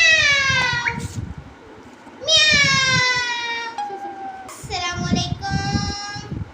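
A parrot gives three long, drawn-out calls, each a rich nasal tone that slides and falls, somewhat meow-like, over low indoor rumble and thumps.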